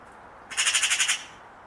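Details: Eurasian magpie (Pica pica), chatter.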